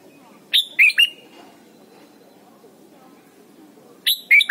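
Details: Training song of a Red-whiskered bulbul meant for young birds to learn: three rapid sharp whistled notes opening the clip, then a long near-silent gap with low background rumble, and two more loud whistles at the end.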